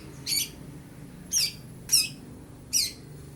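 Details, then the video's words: A young long-tailed shrike copying lovebird and house sparrow utters four loud, grating high squawks at irregular gaps, each a short rasping burst, with a quiet low hum between. "Pentet muda prospek isian Lovebird, suara burung greja"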